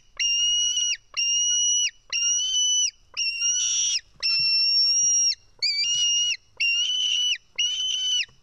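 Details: Wild White-tailed eagle chick in its Estonian nest, 4 July 2018, 1:10 pm, screaming as it is fed fish. Loud, piercing whistled notes, each held about a second with a downward flick, come in a steady series with one brief scuffling burst.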